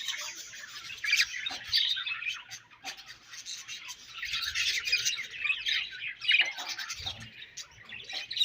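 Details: Budgies eating their favourite food, keeping up a harsh, buzzy chatter of rapid chirps and squawky notes, with occasional low pecking sounds.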